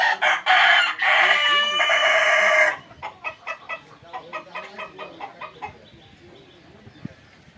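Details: Fayoumi chicken in Jamalpur, Bangladesh, sold as original Egyptian stock, crowing loudly in long harsh bursts, followed by a rhythmic run of soft clucks that fade away.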